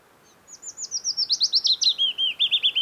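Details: Willow Warbler singing in early summer, late June to early July, near Hallingskarvet mountains at Geilo, Buskerud County, Norway: a sweet cascade of about seventeen soft notes that slides steadily down from high to lower pitch over two seconds.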